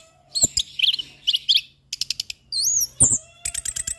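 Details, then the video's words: Steady song of an anis kembang (orange-headed thrush) used for training songbirds: chattery buzzy phrases, a series of dry clicking notes, a high wavering whistle and a fast final rattle of ticks. "Anis Kembang Pastol Dengan Suara anis Kembang Mapan"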